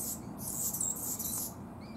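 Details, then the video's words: Anna's hummingbird singing: a dense, scratchy, buzzy burst high in pitch lasting about a second, over faint low background hum. "Anna's Hummingbird Sings"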